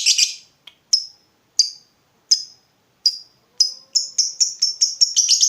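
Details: Lovebird in full voice, used as a lure to set other lovebirds calling: spaced single high chirps that quicken into a fast stream of sharp notes at the end.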